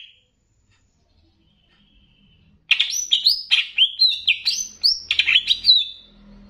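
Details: Banyuwangi greater green leafbird song in a training master meant to stir other leafbirds, with bebeci-style phrases: after near silence, a fast run of varied whistled and chattering notes sliding between mid and high pitch.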